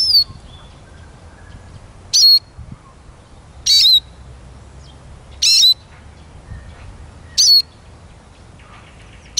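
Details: Eurasian siskin repeating a sharp chirp ending in a descending whistled slur, about every one and a half seconds, five times, against quiet low outdoor noise.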